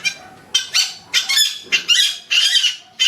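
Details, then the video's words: Free-living yellow-vented bulbul, trucukan, delivering loud, raspy, rich phrases in rapid bursts roughly every half second, each note harsh and bubbling, clearly dominating a quiet setting. "burung trucukan di alam liar"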